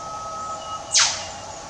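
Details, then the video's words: Australian whipbirds, male and female, in bush undergrowth calling each other: a long, thin, steady whistle, then a sudden loud whip-crack plunging from very high to low pitch, with faint background hiss. "WHIPBIRDS - 'Cracking the Whip'"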